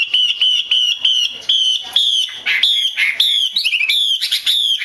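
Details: Female Chinese hwamei calls meant to prompt males to sing: clear whistled notes repeated rapidly in a steady chain, with one quick descending trill near the end.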